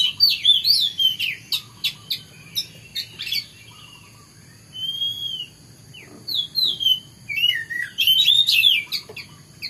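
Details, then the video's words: Oriental magpie-robin in morning song, with a burst of quick sharp clicks and whistled slurs, then a pause, a single long whistle, and further bursts of rising and falling warbled phrases. "kicauan burung kacer di pagi hari"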